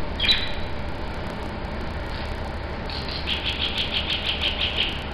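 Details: Three mynas converse in squeaky, whistled calls: a sharp squeal, then a quick run of about eight repeated notes, over a steady low traffic rumble.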